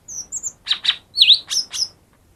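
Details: Brief lesser green leafbird phrase used as a lure for quiet birds: thin high whistles, two sharp chirps, a bright warbled note and two more piercing chirps in quick succession.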